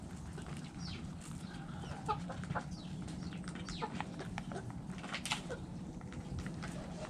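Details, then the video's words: Backyard hens feeding in the coop keep up a quiet, busy stream of short clucks and brief upward chirps, with pecking clicks throughout over a steady low hum. "Hens Clucking Roosters Crowing"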